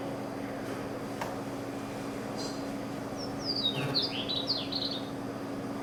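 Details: A Chestnut-collared Longspur in Grasslands National Park, a native grassland, sings a soft two-second jumble of sweet whistled notes that descend slightly, over a low steady hum.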